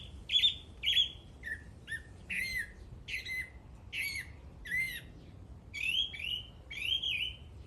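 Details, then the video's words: A bird gives a steady series of about twelve harsh, squawky slurred notes, spaced under a second apart. "The bird is singing."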